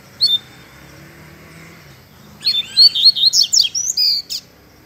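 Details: A double-collared seedeater gives one brief high chip, then after a pause a rapid fibra-style song of sharp whistled notes and descending slurs. Faint low background hiss throughout.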